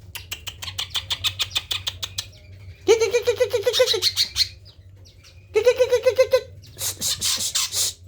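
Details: Greater green leafbird, tame and singing when approached, delivering a song rich in fill-in phrases: a run of quick ticking notes, then two loud bursts of rolling, harmonic chatter, and finally a dense high rattle, with a faint low hum behind.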